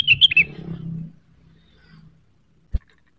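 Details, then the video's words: A blue-winged leafbird, or cucak wilis, seeking a rival: a brief rapid trill of whistled notes opens the clip, followed by low hum and one sharp knock. "Rengganis gacor neritik mencari lawan, pancingan cucak wilis cepat emosi terpancing bunyi"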